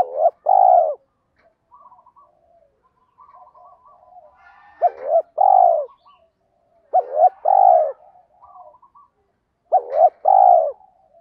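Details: A spotted dove repeats its 'kích bổi' provoking song several times, each burst a cluster of full, falling coos. Soft murmuring coos fill the gaps between phrases, all low and mellow.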